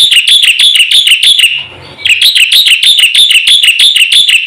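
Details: Black-winged myna in quick, full song meant to provoke silent mynas: bright, squealing notes rattled off about three a second, with a short gap midway before the series resumes.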